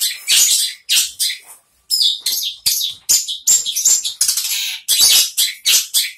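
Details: A caged Long-tailed Shrike sings right after its cover is removed, a fast, scratchy, varied run of high chattering and squeaky phrases in quick bursts with brief pauses.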